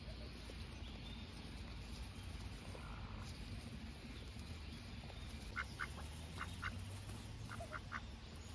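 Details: Ducks foraging curiously along path edges and bushes at a pond on a sunny summer day; after a quiet start come clear nasal quacks in pairs and triplets over a constant breezy rumble.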